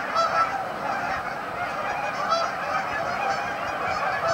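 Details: Staging flock of Canada geese at Amber Trails Lake, Winnipeg, calling all at once: a short stretch of steady, overlapping honks forming a constant chattering roar.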